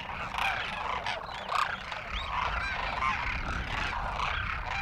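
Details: Flock of Demoiselle cranes feeding from villagers in Rajasthan, India, giving happy crooning sounds: many overlapping soft, rolling trumpeting calls in a continuous chorus with a low background rumble.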